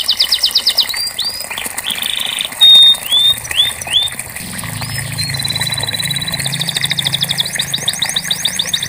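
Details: Canary used to stimulate a silent canary: a varied phrase of short trills and loud clear whistled notes, then a rolling buzzy trill and fast repeated notes, with a low hum joining midway.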